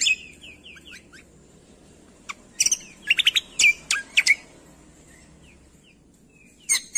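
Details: Training master of a greater green leafbird meant to make lazy songbirds answer: soft whistled slurs, a clustered burst of sharp, loud chirps midway, quiet scattered notes and a final loud chirp.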